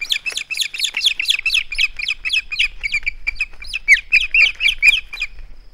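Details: Male osprey at the nest holding on to a flounder, live nest camera, 21 August 2020: a long, rapid run of sharp, high, slurred chirps, about two a second, uneven in spacing, with a faint high steady whine behind.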